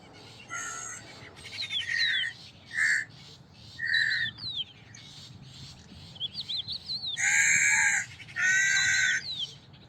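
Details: Crow giving rough, scratchy caws, strongest in two loud bursts near the end, mixed with short whistled chirps and twittering notes from smaller birds.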